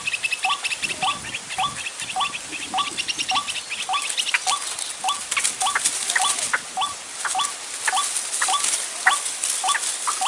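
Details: White-breasted waterhen lure call for bird trapping in the dry season: short hooked croaking notes repeated steadily about every half second, with faint crackling, clicking background noise.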